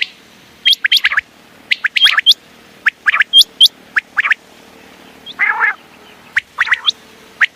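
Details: Common quail calling at night: sharp, clipped whistled notes in quick clusters of about three, repeated roughly every second, with one brief harsh rasping burst near the end against a quiet background.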